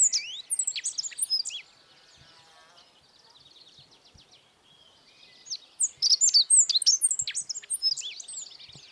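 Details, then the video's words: Godlewski's bunting (Emberiza godlewskii), a bird of the Altai mountains and Siberia, sings two bursts of high, thin, rapid notes and sharp slurred whistles, with a quieter buzzy trill from another bird between them. "Как поёт овсянка годлевского"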